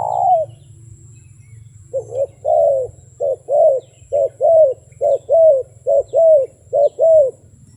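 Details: Wild dove cooing: a single falling note, a pause, then a steady run of about ten mid-pitched, slightly arched coos in short-long pairs over five seconds, with a low hum underneath.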